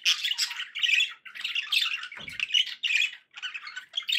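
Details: Loud, busy chatter from pet budgies: squawky, scratchy notes and brief whistles packed closely, with a single low thump partway through.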